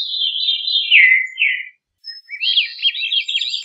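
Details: Veery song: a breathy, flute-like phrase spiralling downward in pitch over about a second and a half, then a short pause and a second rolling, wavering phrase.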